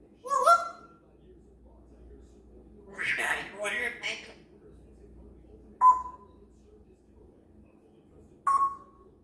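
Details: Pet parrot, a female, chattering to herself and practising sounds one morning: a short honking squawk, then a couple of seconds of raspy, speech-like babble, followed by two more clipped honk-like notes spaced a few seconds apart in a quiet room.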